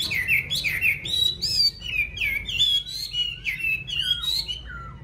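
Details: Yellow-billed Chinese hwamei raised in a cage at home gives a lively sequence of loud, looping whistles, each note sweeping up or down, about two or three per second.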